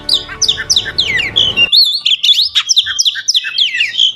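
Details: Oriental magpie-robin singing: loud, varied, whistled notes and rich slurred phrases tumbling quickly, with a low background hum for the first part.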